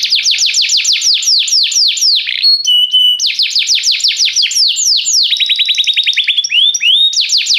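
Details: Restless canary in full song, continuous fast descending whistled notes, a brief steady pure tone, then more rolling slurs and a rapid rattling trill before the sweeping notes return.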